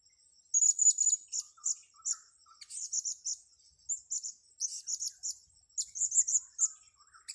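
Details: Blue-crowned hanging parrot, lured for trapping on grass, calls almost continuously: a long sequence of short, high, thin twittering chirps in uneven groups of two to four, with a faint rhythmic insect drone underneath.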